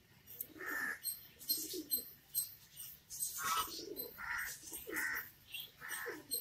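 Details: Australian pigeon cooing: soft, low, rounded coos repeated about every second, alternating with higher bright chirps from other small birds nearby.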